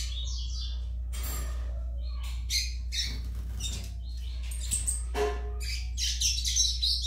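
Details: Song of a young Yellow-bellied Seedeater: broken bursts of scratchy, high chirps and trills separated by short pauses, growing busier toward the end, with a low steady hum throughout.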